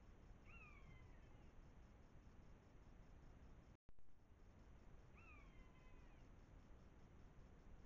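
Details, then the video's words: Two Common buzzards (Buteo buteo) quarrel before a wildlife camera, Eifel, Germany, September 2024. Two plaintive, descending mews with overtones, roughly five seconds apart, separated by a brief silent dropout, with constant low hiss throughout. "Mäusebussarde (Buteo buteo) streiten vor der Wildkamera"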